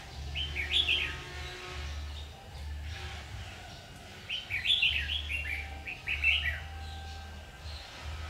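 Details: Red-whiskered bulbul at a trapping site, 7 August 2019, sings lively warbled phrases of quick slurred notes. Three bursts are separated by pauses of several seconds, with a low droning hum pulsing underneath.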